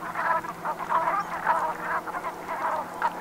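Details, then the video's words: Short burst of Brent goose flock calls recorded at sunset on 7 November 2021 in the Gulf of Morbihan, France: rough, nasal grunting notes tumbling over one another above a soft low hum. "BERNACHES Cravants/Automne/Ambiance Sonore"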